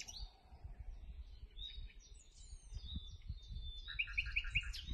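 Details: Common nightingale singing in a survey of this secretive bird: varied high whistled phrases and sharp notes, ending in a quick series of four repeated chirps, over steady low rumbling background noise.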